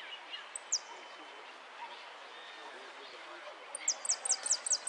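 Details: A saffron finch entered in a Lanús song contest (13 10 13) gives a lone thin, high downslurred note, then a quick run of about eight sharp descending chips, over a steady background hiss.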